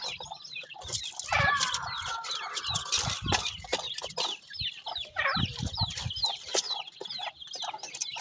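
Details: Grey francolin chicks, locally called teetar, give many short, high, thin chirps in quick, uneven series, loudest in the second half. A drawn, wavering note comes early on, with low thumps and handling noise beneath.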